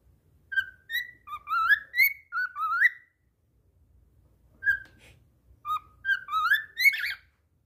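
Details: A cockatiel whistles a bright, warbling song of rising and falling notes in two short bursts with a pause between, indoors, singing even after slipping.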